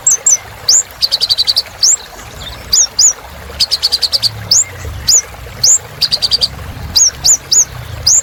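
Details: Kolibri ninja sunbird singing in chatty 'gacor' style, meant to prompt other birds to sing again: thin, high rising chirps alternating with short rapid stuttering trills, repeated several times.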